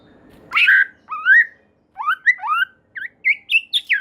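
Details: White-rumped shama singing clear, sweet whistled phrases, each note sliding up or down, spaced in a steady sequence rising in pitch toward the end; a song said to make other shamas sing.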